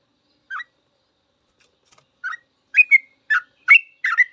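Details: Sooty-headed bulbul song used as training material for cage birds, beginning with sparse single chirps and then building into faster bubbly notes near the end.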